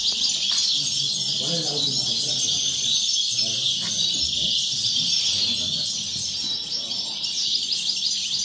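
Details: European goldfinches singing at a bird society singing contest in Sant Joan Despí (Las Planas, Barcelona), 30 November 2019; dense, continuous high twittering and trilled chatter, with men's voices talking quietly underneath.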